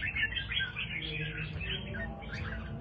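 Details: Kept red-whiskered bulbul of the Do Thái line singing busy, fast whistled chirps and warbles in short bursts, with faint music in the background.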